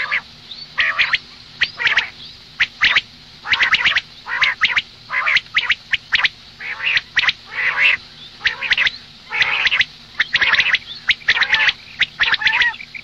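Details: A long run of morning calls from a female common quail: dense, irregular series of harsh nasal squawks and clicking notes, repeated about once a second for thirteen seconds.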